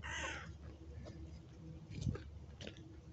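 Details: A lone crow in winter, January, gives a single harsh, hoarse caw, followed by faint background noise.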